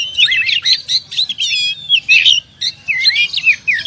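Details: Champion contest oriental magpie-robin in continuous varied song, fast twisting whistled notes and warbles packed densely, with a brief pause before another burst of rippling phrases.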